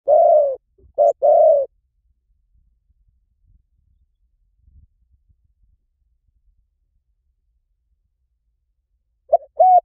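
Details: Spotted dove, recording used as a lure, giving one short coo phrase of a clipped note and two mellow, falling hoots, followed by long silence and the start of another phrase at the end.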